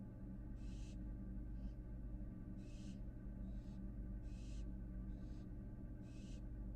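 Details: Inside a Florida nest box, a fledgling American barn owl back from outside gives a run of harsh hissing bursts, alternating louder and softer, roughly one per second, above a continuous low hum from the camera setup.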